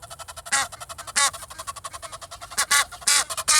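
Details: Egyptian geese in Kensington Gardens, London, on a rainy day, two walking and two in a tree joining in: loud, hoarse, harsh honks in bursts over a steady rapid pulsing chatter, about two to three strong calls per second at peaks.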